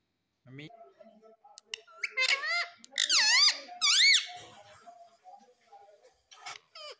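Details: Indoor baby ringneck parrot giving harsh, looping squawks that swing up and down in pitch in three strong bursts, with soft squeaks, low murmurs and a couple of sharp high notes around them.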